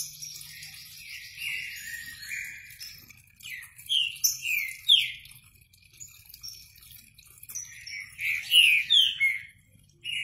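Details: Green-winged saltator delivering short bursts of rich, descending whistles, loudest midway and near the end, while other small birds keep up continuous high twittering and buzzy trills throughout.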